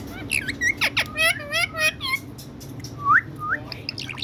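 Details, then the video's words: Sweet-voiced talking from a pet parrot in India: a rapid string of harmonic, speech-like syllables, then two short upward-sliding whistles after a brief pause. "My Cutie Parrot✨️Calling Mithu💕Mithuu In Very Sweet Voice"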